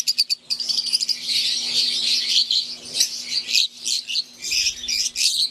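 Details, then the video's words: Caged wild-type green Fischer's lovebirds and Euwing lovebirds in an aviary, chattering nonstop: rapid sharp chirps stacked into a busy chorus after a short staccato opening, a low electrical hum beneath. "Wild type Fischer green & Euwing | Relaxing Sound | Birds Chirping"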